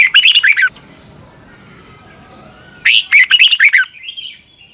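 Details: Red-whiskered bulbul in fiery 'ché căng lửa' morning song with double-twisting voice, a lure for training birds: a quick burst of bright chirps, a two-second pause with low background rumble, then a second burst trailing into soft notes.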